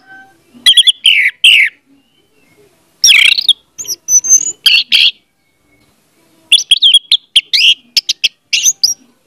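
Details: Orange-headed thrush song to trigger a silent bird: dense, varied phrases mixing sweet whistles and scratchy chirps, in three long bursts separated by short pauses.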